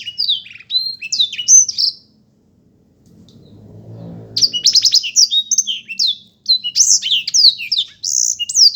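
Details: Black-throated canary singing a rapid, twittering run of high, slurred whistles and chirps, breaks off for about a second of silence with a soft low hum, then resumes with a busy, jumbled warble.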